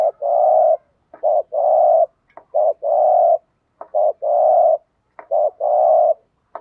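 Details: Spotted dove of the local field type, cooing in the 'thúc gù' style, used as a lure to provoke wild males. Four low, hollow coo phrases, each a short note and then a longer sustained coo, repeated about every 1.3 seconds.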